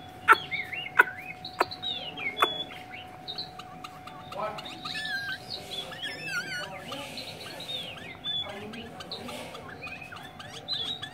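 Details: Hanoi Chinese hwamei song: loud, clear looping whistles and trills that bend up and down, opening with several sharp clicks, then a fluttering, quavering phrase midway, over a faint steady hum.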